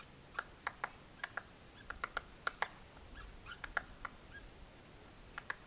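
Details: American three-toed woodpecker in the Kaibab National Forest near the Grand Canyon's South Rim gives short, sharp, clicking pik notes at an irregular pace, a few per second, over a quiet background.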